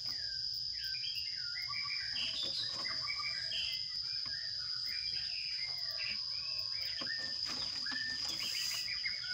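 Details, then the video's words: Sparrow chicks in a nest box during feeding, giving a continuous busy chatter of short rising and falling chirps packed close together, with scattered clicks and a steady high electronic whine throughout. "Sparrow bird feeding baby chicks in nest box"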